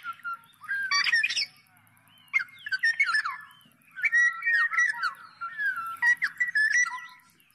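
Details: Black-naped oriole song built from clear, slurred whistles that rise and fall, broken up by rasping squawky notes, delivered in three loose bursts separated by brief pauses.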